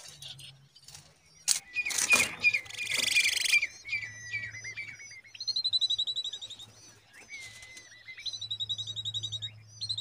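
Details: Common babbler babies in a date tree: after rustling bursts, a long high whistled note, then rapid trills of short chirps repeated in quick series, mixed with drawn, slightly falling whistles; a low hum runs beneath.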